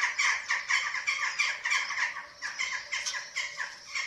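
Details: Eurasian eagle-owl at the nest in Germany, 27 March 2024, filmed by webcam during feeding of chicks; harsh, raspy squawks repeated rapidly, about four per second, with short irregular pauses.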